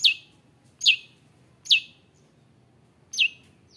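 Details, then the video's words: Long-tailed shrike calling to provoke other shrikes: sharp downslurred high notes, four in under four seconds, repeated roughly every 0.8 seconds against a quiet background. "CENDET GACOR ON FIRE NGAJAK GELUT⁉️ Bikin Cendet Lain Emosi ikut Gacor | Pancingan Cendet"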